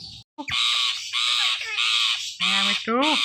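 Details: A talking pet rose-ringed parakeet (ringneck) speaks in a harsh, nasal voice, with about five rapid word-like bursts such as "mithu" and "miya mithu" and a gravelly falling phrase at the end.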